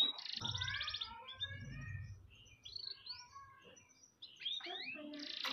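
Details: Canary master song for tutoring other birds, with varied warbled phrases, a fast trill at the start and rising sweeps near the end, quieter and with some low background rumble.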